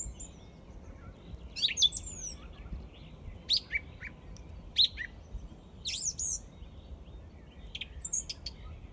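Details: In Izmailovo, a song thrush sings varied phrases: sweeping whistles, sharp clipped notes and a squeaky twitter, each separated by a second or more of quiet, with faint low rumble behind.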